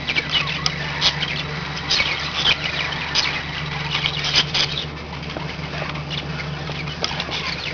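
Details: Pet budgerigars in a group, giving soft continuous warbling chatter with brief scratchy chirps and a few louder squawks, over a constant low hum in the background.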